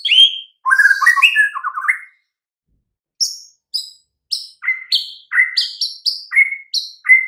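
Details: White-rumped shama master recording played to make silent, weak birds reply: a rich tumbling warble of varied whistled notes, a gap, then spaced sharp upswept whistles repeated about every half second.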